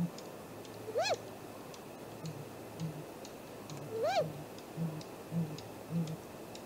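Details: Great grey owl at its nest tree, filmed by a live nest camera at 7:15 am on 2 April 2018. Two clear whistled calls rise then fall, about three seconds apart, over soft low regular thumping.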